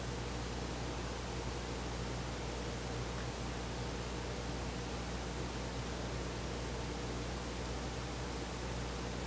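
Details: Steady broadband hiss with faint low hum bands throughout, with no animal call heard.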